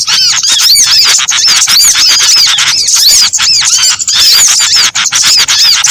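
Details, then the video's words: Trapping lure of mixed small birds; thin, piercing chirps and looping whistles tumble over one another nonstop, a crowded high-pitched twitter from many birds. "Suara Pikat Sogon Ampuh Kombinasi Burung kecil"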